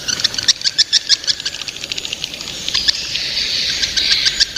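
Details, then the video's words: Young swiftlets giving a rapid, uneven run of sharp high chirps that blur into a continuous shrill twitter toward the end, with faint background hiss. "Suara walet ngeri sedap, Walet Remaja"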